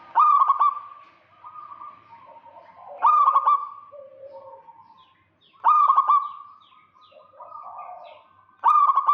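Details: Local zebra dove singing in the gacor kerot style to lure a rival: loud stuttering, trilled coo phrases repeated about every three seconds, each trailing into softer hollow coos between bursts.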